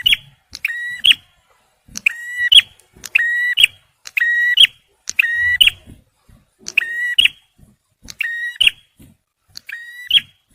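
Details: Male bar-winged prinia, recorded for luring and prompting stressed birds, gives harsh nasal two-part notes: a flat buzzy tone ending in a brighter upslurred burst. They come in eight spaced phrases over about ten seconds in an otherwise quiet setting.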